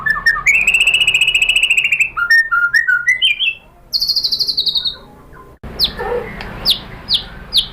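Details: White-rumped shama (murai batu) lure song meant to provoke other shamas to answer and sing: rapid rattling trill, then a long buzzy whistled note, varied rising whistles, and high sharp downslurred notes after an abrupt cut.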